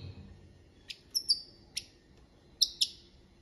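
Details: Copia malaga song of a goldfinch: sharp, high chirps, some doubled, with short falling whistled tails, spaced unevenly against a soft low rumble.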